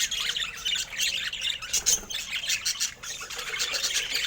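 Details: Pet budgerigars producing a brisk stream of high, scratchy warbling and short chirps, one clear whistled note standing out near the middle, the chatter rising and falling in quick waves.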